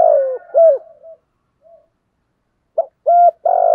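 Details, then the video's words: Decoy spotted dove in the thổ bầu cooing style for training and enticing doves: a long coo and a clipped note, a pause, then a short burst of quick notes ending in a sustained coo. "tiếng chim cu gáy giọng thổ gù thúc tập bổi và luyện cu gáy hàng ngày"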